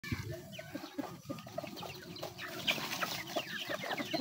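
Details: Chickens eating, with a dense, continuous chatter of soft clucks and short peeping notes over scattered pecking clicks, steady throughout and slightly quieter overall.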